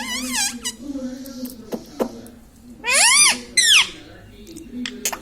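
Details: Indian ringneck parakeet kept as a talking pet indoors, known to say mummy and radhe radhe; a brief shrill wavering utterance at the start, two sharp clicks, then two loud high bursts bending downward, over a faint hum.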